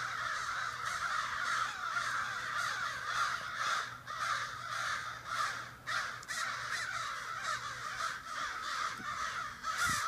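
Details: Many neighborhood crows gathered noisily one morning in a backyard in Sudbury, calling together in an unusually loud meeting: a dense, overlapping racket of harsh caws, nearly continuous, with several birds calling at once and no clear pause.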